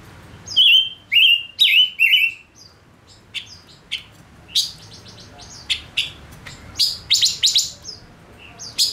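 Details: Male Gouldian finch used as a lure bird, singing: clusters of high, thin buzzy notes with bent whistled phrases, then scattered short chirps and rapid clicking trills, all high-pitched.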